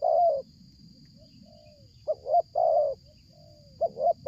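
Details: During bird luring, a spotted dove gives strong, low, mellow coos: one long coo, then a stuttered double note and another long coo, with faint soft coos in the gaps and a steady high-pitched hum throughout.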